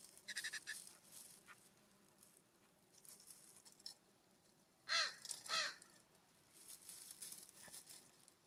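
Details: California scrub-jay calling at a ground bird feeder uphill from a cabin, warm September morning in fall: a pair of rasping, arched calls half a second apart midway, with scattered faint chirps from other birds before and after.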